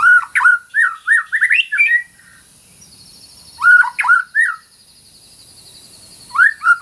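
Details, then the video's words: White-rumped shama, training audio for a silent shama: bursts of fast chattering whistled phrases repeated three times with pauses between, and a faint high trill in the background. "MASTERAN MURAI BATU GACOR - TERAPI MURAI BATU MACET BUNYI"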